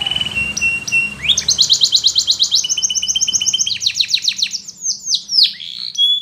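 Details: Russian canary flute song for training, opening with soft whistled notes before bursting into rapid repeated high trills and sweeping slurred phrases.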